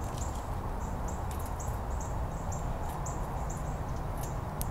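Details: Painted buntings at a feeder in Miami, Florida, early in the morning: thin, very high call notes repeated quickly several times a second, over a steady low rumble of background noise.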